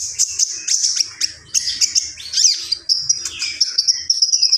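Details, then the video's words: Common iora in lively song: quick high chirps and ticks, a swooping rising-and-falling whistle midway, then sustained thin whistles mixed with rapid notes. "SUARA BURUNG KONIN GACOR"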